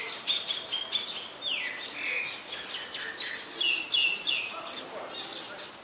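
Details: Common myna in Ubon Ratchathani, Thailand, December 2020, giving a busy jumble of high chirps, short squawks and a downward-sliding whistle, delivered several times per second with uneven rhythm over faint background hiss.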